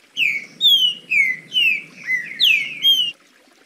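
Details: Green-winged Saltator giving a clean song: a rich, clear phrase of seven slurred, downward whistles, about two per second, with a faint low hum beneath.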